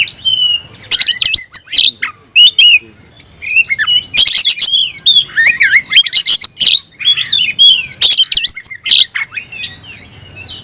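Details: Caged kacer, or oriental magpie-robin, in loud fighting-mood song with fanned tail: varied whistled phrases, trills and sharp clicks in clustered bursts separated by short pauses.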